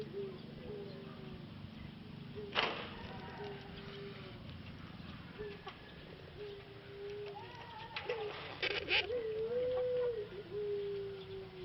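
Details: Caged male Pelung dove from Solo, Indonesia, in rehabilitation after its voice faded during six months of breeding; a series of sustained level coos, one loud clatter early on, and a wavering coo near the end amid bird noise.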